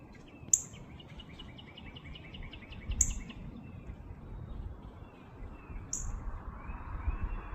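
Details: A male northern cardinal near food just put out for it gives three sharp, high metallic chips about every two and a half seconds, over a faint run of softer bird notes and a low outdoor rumble.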